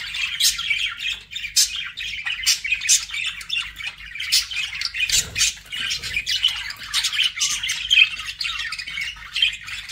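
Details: Pet budgies chirp and warble in quick succession, sharp squawks punctuating a constant scratchy twitter.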